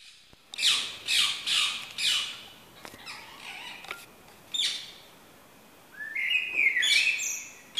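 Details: Rose-ringed Parakeet giving four harsh, grating squawks about half a second apart, then scattered chatter and a rising whistled phrase, possibly a blackbird; morning sounds in a garden, 31 May 2017.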